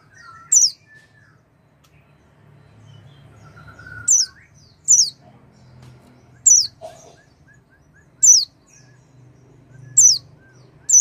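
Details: Oriental white-eye lure call used to coax a silent bird into singing: single thin, high, falling chirps spaced roughly every one to two seconds, with quiet gaps and a faint low background hum.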